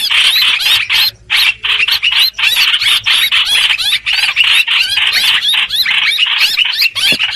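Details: Streak-eared bulbul lure sound for trapping: rapid, rasping chattering bursts repeated closely, with a short pause near the one-second mark, then steady scolding notes to the end.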